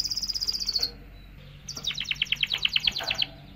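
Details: Canary song for arousing hens to mate: a fast high trill of repeated notes, a brief pause, then a rapid series of loud descending chirps.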